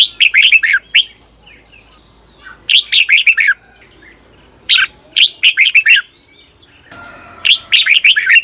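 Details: Cage-bird training song of a red-whiskered bulbul, doubled 'beun' style: four bursts of clear, chirpy, downward-slurring notes, some phrases split into two parts, coming about every two seconds against a quiet background.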